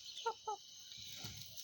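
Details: A broody hen (Gallus gallus domesticus) on her nest gives two short, nasal, rising clucks about a quarter-second apart, the distinct sound she makes when someone approaches; steady insect-like hiss and low rustling behind.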